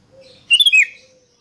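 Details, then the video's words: Sooty-headed bulbul song, played as a lure to get other bulbuls singing: one brief bubbling phrase of four quick, slurred whistled notes, clear and loud against a quiet background. "100% RANGSANGAN SUARA ASLI KUTILANG || DIJAMIN BIKIN KUTILANG LAIN IKUT BUNYI GACOR ROPEL"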